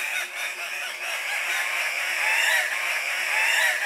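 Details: Andean cock-of-the-rock males at their lek, competing for breeding females: a steady wall of overlapping raspy, nasal calls from several birds, with no clear pause throughout.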